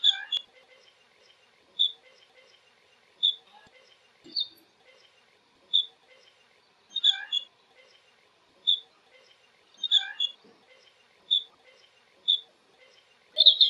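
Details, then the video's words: Flight calls of a blue-cheeked bee-eater (Merops persicus): short, high, clipped chirps repeated roughly every one to one and a half seconds, some doubled, over a quiet background. "Blue Cheeked Bee -eater flight call"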